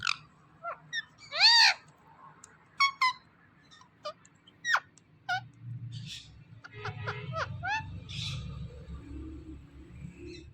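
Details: Talking parrot producing a run of sharp squawks and quick rising-and-falling chirps, loudest near the start, then softer clicks and short notes above a low background rumble.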